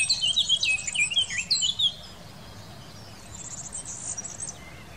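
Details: Eurasian blackcap singing in the Wittlich valley, Germany, in 2018: a quick, rich warble of fluting, twisting high notes for about two seconds, then a quieter, faster twittering phrase over soft background hum.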